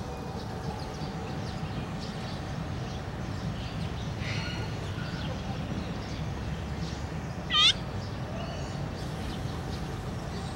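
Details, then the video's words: An azure-winged magpie, described as complaining, on 17 July 2017, gives a single short, whining, rising call, almost meow-like, over a steady low rumble of background noise. "Голубая сорока жалуется"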